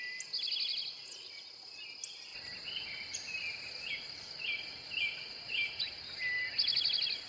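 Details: Male Eastern towhee song given twice, each a short rapid trill of evenly repeated notes, set among scattered chirps from other birds and a constant high-pitched insect hum.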